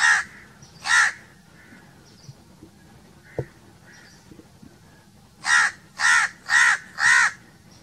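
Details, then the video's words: Crow calling with two separated harsh caws, a short knock in the quiet middle, then a run of four rapid, evenly spaced rasping caws. "1 hour crow crowing sounds - one hour crow nonstop crowing voice - natural crow bird sounds"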